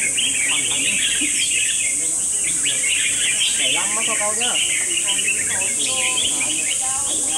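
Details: Several Red-whiskered Bulbuls sing at once in a singing battle competition: bubbly, whistled chirps tumbling over each other, over a steady high hiss and a few murmured voices.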